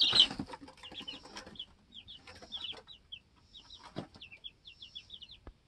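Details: Two-week-old domestic chicks in a homestead coop give a steady stream of high, short, downslurred peeps, several in quick runs, with rustling and a few thumps underneath.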